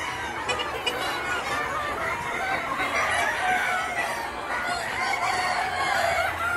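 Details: Yard flock of free-range chickens, Gà Nòi, Gà Tre bantams and crossbreds, foraging by day; dense, rapid, irregular clucking from many birds throughout.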